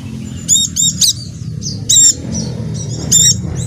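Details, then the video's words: Dakun white-eye from Java singing as a lure for caged birds that have stopped singing: short high bursts of ringing notes, some in rapid threes, mixed with faint buzzy twitters over a low background hum. "pleci macet akan ikut bunyi dengar pancingan ini | pleci dakun jawa"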